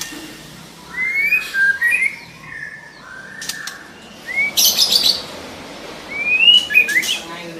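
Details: Female white-rumped shama calling to prompt a male into song: several short whistled phrases, rising and falling slurs spaced through the recording, with brief wing flutters or rustling clicks between them.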